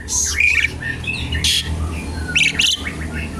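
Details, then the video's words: Asian pied starling singing, used as a lure and to teach other birds: scattered harsh squawks and short whistled notes with bursts of broadband noise between them. "jalak suren gacor pancingan tembakan penambah materi isian burung"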